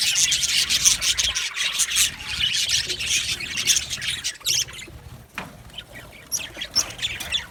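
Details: Happy budgerigars chirping in an aviary colony, loud dense twittering for about four seconds, then thinner, scattered chirps and squawks as the chorus quietens.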